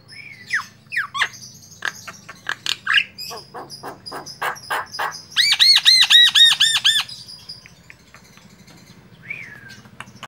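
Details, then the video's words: Javan myna (jalak kebo mata putih) in full varied song: slurred whistles and harsh clipped squawks, then a loud burst of rapid arched squeaky notes, ending with a single falling whistle; faint low hum underneath. "jalak kebo mata putih full variasi"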